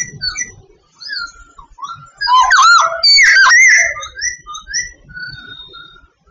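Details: From Vietnam, a singing Sooty babbler: soft scattered whistles build into a loud, rich warbling burst for about two seconds, then thin out into quiet whistled notes.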